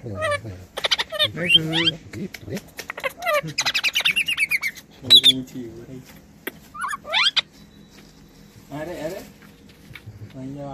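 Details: Talking parrot giving harsh squawks and chattering, speech-like bursts with buzzy banded tones, several loud clusters separated by brief pauses, with a quiet low hum underneath.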